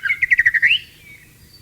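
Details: Brief phrase from a wild white-rumped shama wanting to mate: about eight quick, evenly spaced whistled notes in a rolling trill that rises at the end, then fading quiet.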